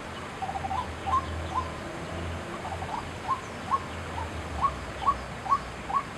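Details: A White-breasted Waterhen at Chiang Kai-shek Memorial Hall, 6 September 2012, gives short, sharp, upslurred notes, repeated about twice a second, over a steady low rumble.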